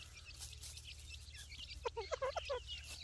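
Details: Grey francolin (Dakhni teetar) chicks while feeding: a quick burst of short, soft clipped notes in the second half, set against thin high chirps and a low steady hum.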